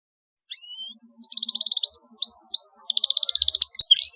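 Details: Singing canary, played to stimulate young canaries: thin rising whistles, a rapid repeated trill, then climbing whistled notes leading into a dense, fast roll.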